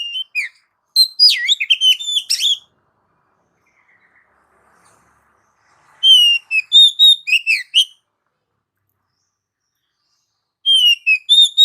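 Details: Melodious Oriental magpie-robin song used to prompt pet birds: rapid bursts of varied whistles and chirps, some warbling and sliding, grouped in three-second phrases with long pauses between.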